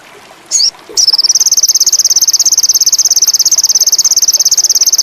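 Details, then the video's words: Sogon indigo, a bird in high mating condition, giving a single short sliding high note, then after a pause a sustained, very high pulsed trill of rapid, even buzzy notes. "PANCINGAN SOGON INDIGO ‼️AWAS BURUNG TAMBAH GACOR‼️MACET BIRAHI TINNGGI"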